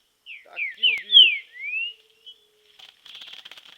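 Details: Green-winged saltator singing during training in nature: a loud phrase of about six slurred whistled notes, some rising and some falling, lasting under two seconds, followed by faint buzzy chatter.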